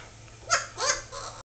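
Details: A talking Solomon Island Eclectus parrot speaks indoors in three quick, hoarse, speech-like syllables, the middle one longest, in an otherwise quiet room.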